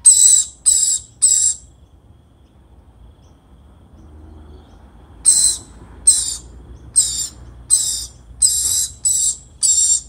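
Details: Lorikeet feeding its young, with raspy, high hissing calls repeated roughly every half second; three come first, then a quiet gap of about four seconds, then a steady run of eight more.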